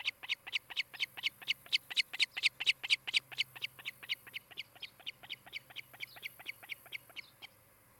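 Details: At a nest in Charlo, Montana, an osprey calls on a nest camera on 16 July 2018 in the afternoon: loud, piercing chirps come in a fast regular string, about two per second, then grow quieter and fade out.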